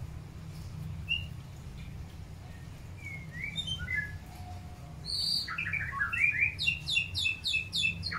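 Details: Long-tailed white-rumped shama during pairing for breeding: scattered faint whistled notes and slurs, then a fast run of bright, evenly repeated high notes about five per second near the end, over a low steady hum.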